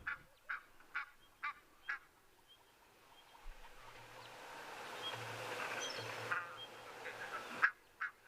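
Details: Egyptian geese give a run of harsh, hoarse honks about twice a second, then fall quiet under a low rumble and steady hiss before a few more calls; lapwings also around; morning, 5 January 2023, just after first rains of the season.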